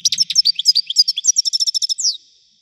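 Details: European goldfinch in full song: a fast, continuous run of liquid chirps and trills, accelerating into a rapid rattling series and ending with a rising slurred note, with no other sounds.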